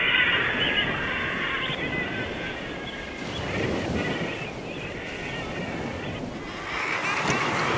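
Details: A dense Guillemot colony on knife-edge Arctic sea cliffs keeps up a continuous chorus of harsh, growling, rolling calls over a steady roar of rushing water.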